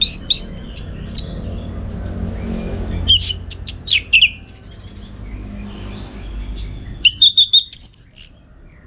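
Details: Orange-headed thrush tutor song for contest training: scattered high chirps, a cluster of sharp notes mid-way, then a rapid series of even whistles ending in a high slurred phrase, over low background hum.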